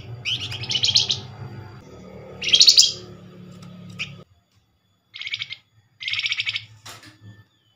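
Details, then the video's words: Flamboyan bird used as a lure to draw answers from others of its kind: several dense, grating chatter bursts, the first ones over a low rumble and the last ones in near silence. "Flamboyan call nyerecet pancingan cepat paling direspon"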